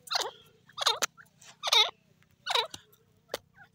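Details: Black francolin (Sindhi teetar, kala teetar) giving five harsh, grating calls spaced under a second apart, each a rough, descending squawk, over a steady low hum.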